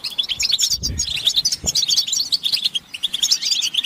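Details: Collective chattering of European goldfinches, mating and readiness calls meant to draw males out of silence: dense, high, twinkling twitters from several birds, with a couple of soft low thuds early on.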